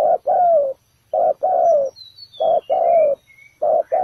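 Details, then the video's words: Ground-trap spotted dove luring wild birds with rhythmic deep coos, each brief note followed by a longer falling one, three pairs in quick succession and soft distant chirps above. "Bẫy cu gáy mồi đất, bổi thổ đủ bài"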